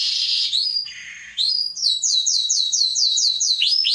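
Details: Atlantic canary singing as tutor song for young birds: a high sustained buzzy note, then a lower rolling tone, then a run of about eight bright descending whistled notes repeated rapidly in a rhythmic trill.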